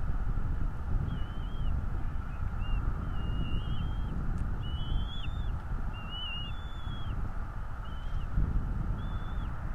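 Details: High whistled calls from a bald eagle at its nest in northeast Florida, recorded by a nest cam on a 2022 morning: a busy run of short slurred and wavering piping notes over heavy low rumble.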